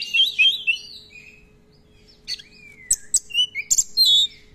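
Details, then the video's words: Oriental magpie-robin song opening with a bright warbled phrase, then a long smooth whistle sliding downward, followed by sharp high chips and a final ringing whistle. "Pancingan Kacer Gacor ROLL Panjang-Panjang, Dan Lagu Isian Banyak"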